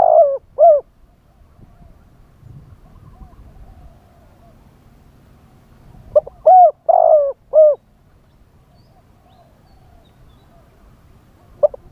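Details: Spotted dove as a live decoy singing in wild style to bring in wild doves: the tail of one cooing phrase, about five seconds of quiet with faint rustling, then a full phrase of a stutter note and three hoarse coos.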